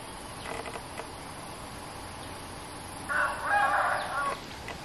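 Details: Cream-vented bulbul, a resident bird defending its territory against a lure cage, gives a brief harsh chattering burst after a few faint notes, against quiet background hiss.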